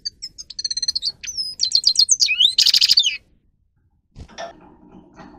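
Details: Grey-crowned goldfinch (Carduelis caniceps) song for training other goldfinches: fast repeated high tinkling notes, a rising whistled slur and a dense buzzy burst, then silence and a brief low rustling noise.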